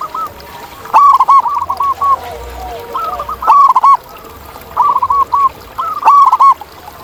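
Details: Wild zebra dove delivering repeated phrases of fast, stuttering, gently bubbling coos, about four phrases, with a second dove answering softly in the background.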